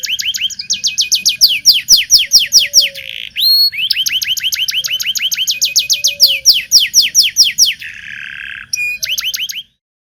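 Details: Song of a local canary, energetic and non-stop, played to teach young canaries: long fast trills of upswept whistled notes, broken by brief buzzy rolls and a sharp note, ending abruptly.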